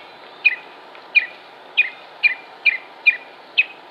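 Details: Northern Mockingbird recorded in Concord, North Carolina, United States, on 07-06-2016, giving a series of seven short sharp downward notes spaced about half a second apart.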